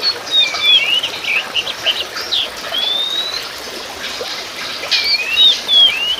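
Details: Oriental magpie-robin of race musicus, known as kacer poci, sings varied whistled phrases: falling slurs, rising sweeps and brief chips repeated across the clip, with a persistent rushing hiss behind.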